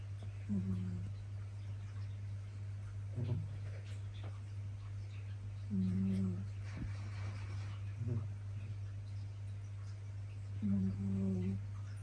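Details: A pet Japanese quail indoors gives its egg-laying call, short, low, buzzy humming notes about every five seconds with soft snorts between, over a steady indoor hum; some hens call once, others many times before laying.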